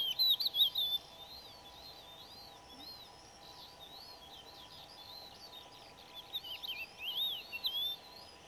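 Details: Crested lark in Extremadura, Spain, May 2005: liquid, slurred high whistles in a quick burst, a quieter gap of faint twitters, then another run of fluty notes; steady background hiss.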